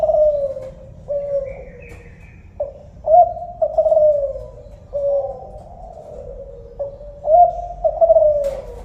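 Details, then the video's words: Spotted dove of the Kelantan type cooing: low, mellow coos, some drawn out and falling, others short with a lifted accent, given in loose phrases roughly every second over steady low background hum. "suara burung tekukur kelantan"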